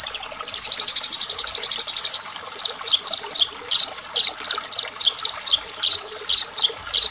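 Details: Eurasian tree sparrow in fighting mode: a rapid burst of high, dry chirps about four per second, then a looser series of sharp, slightly varied chirps with small pitch steps, steady and insistent throughout.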